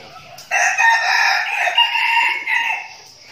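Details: Caged decoy red junglefowl in Vietnam's Bình Phước province, part of a flock in training. A single sustained, raspy crow of about two and a half seconds has several stepped sections and fades gradually at the end.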